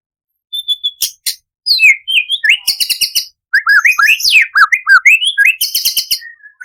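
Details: Imported white-rumped shama in full, constant song, used to prompt other shamas to sing and rich in mimicked material including cucak cungkok phrases: loud varied whistles, sliding upslurs and downslurs, sharp high chips and buzzy bursts in quick changing phrases.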